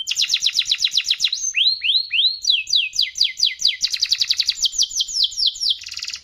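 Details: Vigorous long canary song: quick downward-sweeping high trills, three slower rising whistled slurs, then more rapid rolling trills ending in a short buzzy burst.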